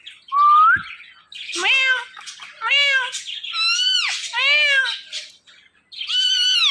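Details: Two talking parrots at home exchange a rising whistle, then a series of loud, harmonic, bowed squawks, some sounding almost like meows, repeated in quick succession.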